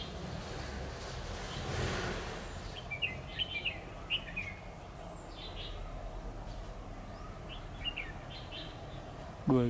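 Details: Trapping decoy red-whiskered bulbul, October 2019, singing in competition: spaced groups of bright warbled notes, a brief rushing noise early on, and a sudden sharp sound at the very end over low rumble.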